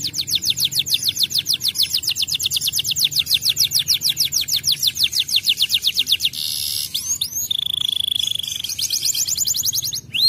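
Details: Canary singing as a training recording meant to make other canaries respond and sing: long runs of rapid, high buzzy trills, a sustained whistled note near the middle, then more fast trilled phrases.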